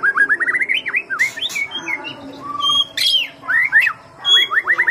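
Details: White-rumped shama lure song: a fast rattling series of short rising notes, then scattered whistles, noisy bursts and another quick run of repeated upslurs.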